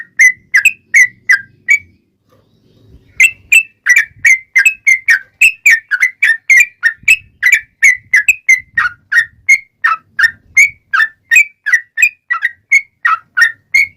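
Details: Yellow-vented bulbul in lively fighting-style rapid song, meant to provoke other bulbuls into answering: a short burst of liquid notes, a brief pause, then a long steady run of bright slurred whistles about three per second.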